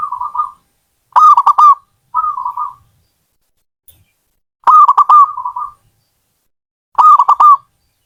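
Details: Zebra dove alternating gentle purring coos with louder stuttered phrases of clicky mid-pitched notes, the pattern recurring several times with short silences between.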